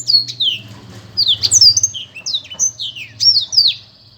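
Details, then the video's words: A black-throated canary gives spaced, high downslurred whistles and short chirps over a steady low humming background noise. "burung blektroat memang keren ....suaranya"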